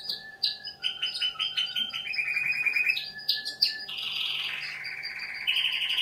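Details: Young canary beginning to sing, delivering a dense, loud run of rapid trills, rattling rolls and bright whistled notes that change every second or so, with a faint steady hum underneath.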